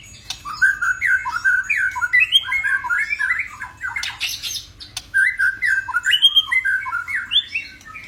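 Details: Caged white-rumped shama giving a run of varied, slurred mid-pitched notes in quick jerky phrases, with a brief harsh burst near the middle, continuing steadily over eight seconds.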